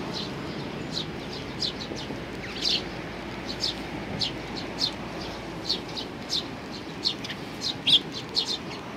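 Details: Eurasian tree sparrows on a bench waiting to be fed, June 3, 2020; short sharp chirps repeated roughly every half second to second, fairly steady, over a quiet background murmur.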